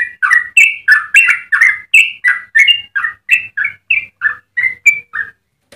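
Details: Yellow-vented bulbul singing a long 'ropel' sequence meant for tutoring and luring other birds: a string of short, liquid, slurred notes about three per second, rising and falling in pitch, then ending in a brief pause.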